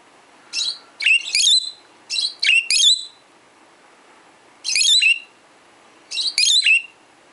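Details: Peach-faced lovebird, a 12-year-old caged pet, tweeting in reply to recorded lovebirds indoors; shrill, sharp chirps given in quick pairs and triplets, with pauses of about a second and a half between bursts.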